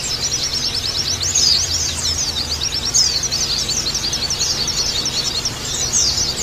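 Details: Oriental white-eye recording used as a tutor lure to stimulate and train caged birds kept in groups: dense, very high, rapid twittering of quick chirps and thin trills, continuous for the whole stretch, over a steady low hum.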